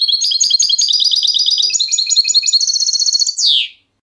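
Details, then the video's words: European goldfinch song, recorded at good quality: rapid liquid twittering phrases of repeated tinkling notes, then a run of fast buzzy trills ending in a loud descending nasal note. "CHANT DU CHARDONNERET"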